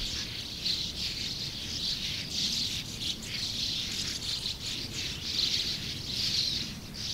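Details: Sand martin colony of over 100 birds: a dense, unbroken chorus of dry, buzzy twittering chirps overlapping throughout, swelling and fading slightly, over a low rumbling background noise.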